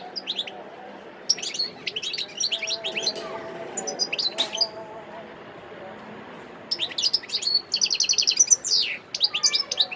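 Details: Singing wild European goldfinch, Sidi Bel Abbes, December 2021. Clusters of high, tinkling, sliding notes alternate with quiet spells, and the song closes with a dense, rapid twittering trill.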